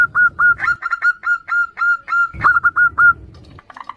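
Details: Female zebra dove, local perkutut, calling to the male in a duet with other doves, used as a lure: a rapid string of clear whistled coo notes at one steady pitch, with some softer overlapping notes.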